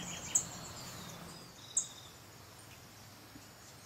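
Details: Beryl-spangled tanager (Tangara nigroviridis cyanescens) at Sachatamia Lodge, Ecuador, May 2012, calling: two very high, thin, sharp tsit notes about a second and a half apart over a soft background hiss.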